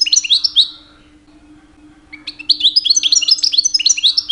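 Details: European goldfinch, a two-year-old caged male, singing in the mating season to attract females: a short twittering phrase, a pause of over a second, then a long lively run of bright slurred chirps.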